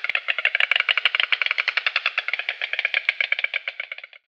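White stork clattering its bill: a dry, wooden rattle of about ten sharp knocks a second, sustained for four seconds and fading at the end.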